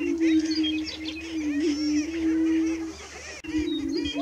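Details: Prairie chickens recorded on 30 March 2018 around dawn: a steady, low, hollow moaning tone held for nearly three seconds, broken briefly, then resumed, with fainter cackling and whooping notes above it.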